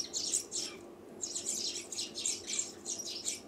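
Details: Sparrow calling in a rapid series of high, harsh chirps in bursts, with a short pause near one second, then steady chirping to the end; faint low background hum.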